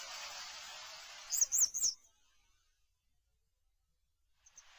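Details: Grey wagtail giving three sharp, high, thin notes in quick succession over a steady rushing background noise. The noise suddenly cuts out, leaving near silence broken by a faint final chirp.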